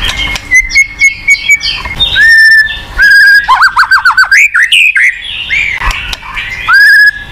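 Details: White-rumped shama, a popular kept songbird, singing to prompt a silent bird to sing: pure whistled notes around mid pitch, a rapid run of downward-sweeping notes, then rising slurred whistles and a long steady note.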